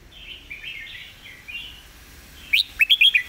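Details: Red-whiskered bulbul giving a brief master-style song: a soft warbled passage, then a sudden loud run of quick, rising whistled notes at the end.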